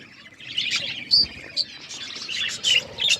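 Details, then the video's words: Budgies chirping in short bursts of warbled, whistled notes with brief squeaky chirps, separated by quiet gaps of under half a second. "Budgies relaxing sounds Birds chirping sounds"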